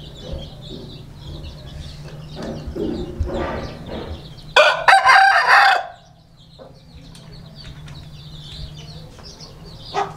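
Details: Aseel rooster crowing once, a loud, drawn-out, strained crow lasting over a second, preceded by clucking and noisy background, with faint chirps of other birds throughout.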